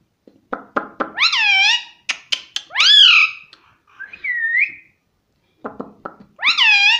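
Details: Talking parrot mixing rapid tongue clicks with bright whistled, speech-like "mummy" syllables that arch up and down, plus a warbled mid note, in bursts.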